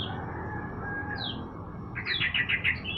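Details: Morning sunning of a sooty-headed bulbul: a few isolated whistled notes, including one rising slur, then a lively run of rapid bright chirps near the end, with constant low background hum.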